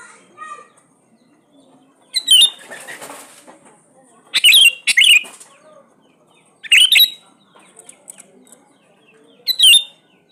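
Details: Sooty-headed bulbul in full song, played as a lure to prompt quiet bulbuls to sing: four separate short bursts of bubbly, slurred whistles spaced about two to three seconds apart, with a faint rustle between them.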